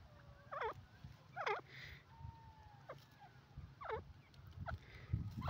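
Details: Francolin (dakni, desi teetar) calling: loud looping, wavering notes that sweep up and down, repeated about every second, with thin whistled strands between, over a steady low rumble of background noise.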